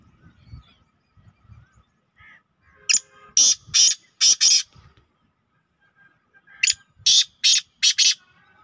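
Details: Two caged black francolins on the evening of 24 June 2023, one with an orange leg ring: two separate runs of loud, rasping, high-pitched notes, four to five in each run, with quiet gaps between.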